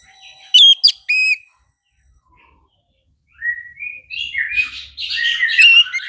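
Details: Orange-headed thrush with a short series of sharp high whistled notes, then a pause and a rising, varied warble of tumbling whistled phrases that grows louder toward the end.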